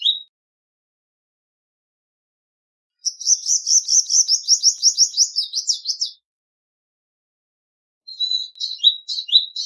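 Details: Palestine sunbird song from Cinnyris osea: after a short opening note and a pause, a three-second string of loud sweeping high notes, then a quieter, jumbled twittering of mixed chirps. No other animals or noise.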